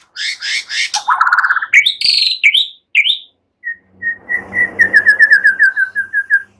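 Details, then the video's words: White-rumped shama (murai batu) singing a relaxed song with imitated cililin and ciblek phrases, for training songbirds: fast buzzy notes, then slurred whistles, then a long rhythmic trill of even whistled notes. "Ocehan SANTAI MURAI BATU, NEMBAK CILILIN SAMBUNG CIBLEK"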